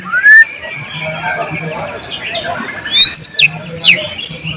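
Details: White-rumped shama singing with imitated phrases, recorded July 2023 for training other birds: a single rising whistle, a pause, then high piercing swooping whistles repeated three times.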